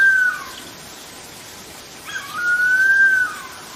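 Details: Harpy eagle calling in forest, giving two drawn-out whistled cries, the second longer and gently rising before a brief downward slur, with soft forest hiss between them.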